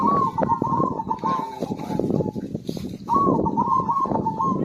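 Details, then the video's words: Zebra dove song meant to coax quiet birds into singing: long trilled coo phrases of fast staccato notes, wavering slightly, broken by a brief gap, with heavy low-pitched background clutter. "PERKUTUT GACOR"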